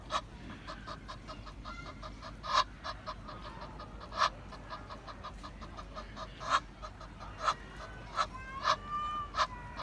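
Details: Egyptian goose calling in a quick string of rasping, honk-like notes; several louder, sharper calls stand out over a steady run of softer repeated notes, with light background noise.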